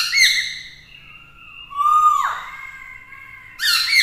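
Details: Captive Black-throated laughingthrush song to provoke rivals: a bright harsh note opens, then a long low whistle that swells and drops away sharply, ending in another raspy burst.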